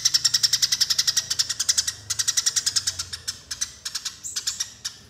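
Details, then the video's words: Eurasian tree sparrow fighting calls used as a bird lure: rapid bursts of sharp, bright chirps repeated about three or four per second, running almost continuously with brief breaks and a short high whistle near the end. "Suara Pikat Burung Gereja Tarung Durasi Panjang dan Jernih"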